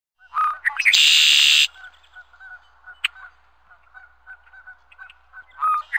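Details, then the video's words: Red-winged blackbird (Agelaius phoeniceus) call: a short opening note, then a loud, harsh, buzzing trill under a second long, followed by soft scattered chips and a final rasp. "Red Winged Blackbird Sound"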